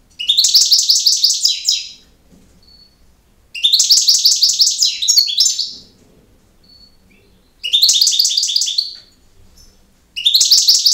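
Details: European goldfinch delivering campero song: four bursts of rapid, tinkling, buzzy high twittering, each about one and a half seconds long, repeated roughly every four seconds with thin single notes in between.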